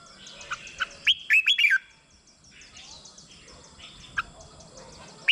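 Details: Red-whiskered bulbul, caged, used to stimulate other birds: one quick phrase of bright whistled notes, rising then falling, with scattered soft chirps and a quiet pause around it.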